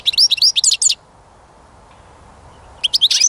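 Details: Goldfinch song in two bursts: a quick run of bright, liquid twittering notes, a pause of nearly two seconds with only faint hum, then the chattering phrases start again.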